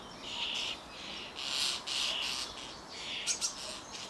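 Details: A hungry young common starling, probably close to fledging, begs and is then fed, with harsh, hissing, rasping screeches, about five bursts in four seconds, each loud and scratchy, with faint softer chirps between.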